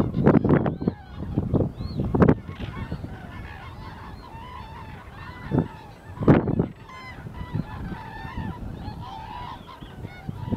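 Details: Common cranes in winter, 1 February 2014: loud ringing trumpet calls in separate bursts, with a steady background of many overlapping distant crane calls throughout.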